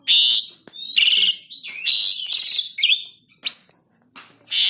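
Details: Black-winged starling, tame captive bird, singing steadily as a lure to get other birds singing: loud harsh chattering bursts and bright whistled notes around high pitch, broken by short pauses.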